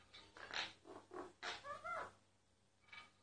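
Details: Myna singing, recorded quietly so it would not stop: a few harsh rasping notes, then clear curved whistles with overtones, a pause and a final buzzy note, over a low steady hum.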